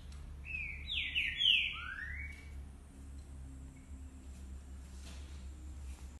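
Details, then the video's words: Green-winged saltators in song, several birds: one loud cluster of overlapping slurred whistles, then a single rising whistle, after which only a low steady hum and faint high hiss remain. "Trincas cantando"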